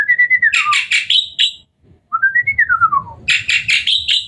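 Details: Hybrid Asian pied starling singing energetically at night: clear whistled phrases, some gliding down and some rising, mixed with bursts of harsh, chattering notes, a short pause in the middle, then more chatter. Faint low rumble beneath.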